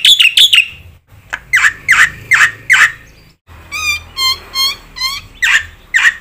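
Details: Black-winged myna singing with varied notes, used to provoke other mynas: loud squawky notes, then a run of pure, tonal whistles, and further harsh squawks.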